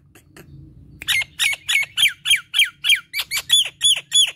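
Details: After a second of near quiet, a Nias hill myna bursts into a steady string of loud, falling whistled notes repeated over three times per second, gacor kemrewek style.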